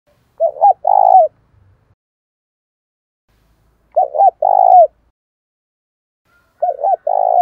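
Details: Decoy spotted dove cooing to lure wild doves: three loud, low, hollow two-part coo phrases, each a short note then a longer one, spaced about three seconds apart in a quiet setting.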